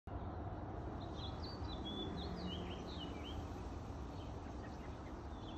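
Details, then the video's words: An American robin in a back alley in NW Calgary, Alberta, at 7:26am on July 16, 2022, sings short, clear whistled phrases that rise and fall over a steady low rumble of traffic or wind. "American Robin"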